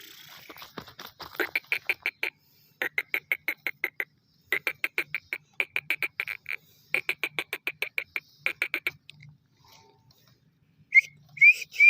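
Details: Black francolin calling in long runs of quick, dry, rasping notes repeated steadily for about nine seconds with brief breaks, then a few sharp rising whistled notes near the end over a soft low hum.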